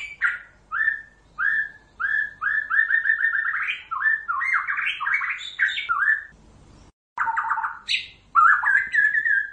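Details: White-rumped shama song played to lure birds into traps: varied whistled phrases, first repeated flat whistles, then rising and falling slurred notes in quick runs, a short gap, then richer warbled phrases.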